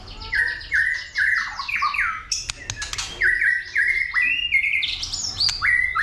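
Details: White-rumped shama fighting song, stimulated by a female: rapid repeated downward-sliding whistles, sharp clicks, and a rising flourish near the end.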